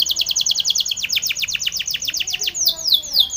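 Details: Spanish Timbrado canary singing for training: a rapid series of high down-slurred whistled notes, about five per second, ending in a few broader sweeping notes, with a faint low hum beneath.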